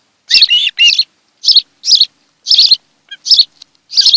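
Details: At a Kent Island, Maryland nest in July 2018, an osprey pair calls on an afternoon nest camera recording. Clipped, high, shrill chirps come in pairs and singles, about one every half second, with brief pauses.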